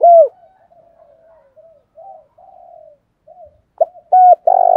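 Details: A spotted dove's 'thổ đồng thúc đấu' provoking call: one falling loud coo, a stretch of low soft cooing, then loud clipped notes building into a long rough coo cut off at the end.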